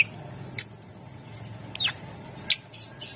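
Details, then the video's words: Lovebird heard on a lure recording meant to set other lovebirds singing: sparse, thin, high chirps, one sliding downward, ending in a brief chattering run against a low background hum. "Ampuh buat Burung LOVEBIRD ikutan Gacor, Dijamin Puass Sama suaranya"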